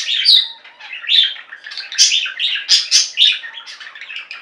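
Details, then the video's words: Pet budgerigar flock in full song, overlapping warbles and chirps forming a lively, rasping chatter punctuated by louder squeaky notes about every half second. "Most Beautiful Budgie songs Ever: Budgies singing and chirping"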